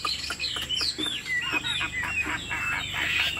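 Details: A tame Chinese Hwamei kept in a cage sings short whistled slurs and chirps over a steady low background hum, with occasional clicks.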